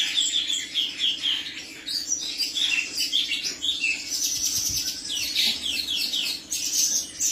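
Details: Male cucak cungkok song of quick chirps and short warbled phrases, often in repeated groups of two or three notes, with brief gaps between bursts and a faint steady hum beneath.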